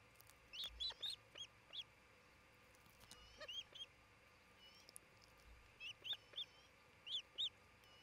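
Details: Osprey of a nesting pair at a nest near Charlo, Montana, on June 27, 2018, close to midday: short, high, arched whistled chirps in three quick bursts of two to four notes, over a steady low background hiss.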